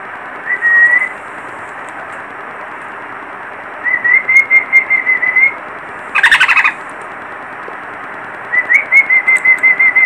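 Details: Baby parrot whistling in long thin, slightly wavering notes at a steady high pitch, three stretches over ten seconds with one short harsh burst between, soft hiss behind.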